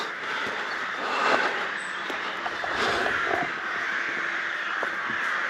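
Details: Crows calling loudly around the castle ruins at Bychawa, beside water: scattered harsh caws over a steady background chorus of many birds, with occasional clicks and thumps.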